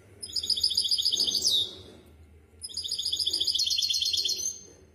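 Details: Tutoring song from a misto hybrid canary for young birds: two fast, bright trilled phrases, the first ending in a quick downward slur, separated by a brief pause.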